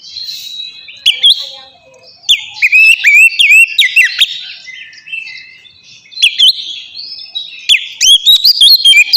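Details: Oriental magpie-robin (kacer) in the loud 'ngeplong' song style, used as a lure to make captive birds sing: bursts of rich whistled phrases with sharp rising and falling notes and fast chirps, separated by brief quieter gaps, over a faint background hiss.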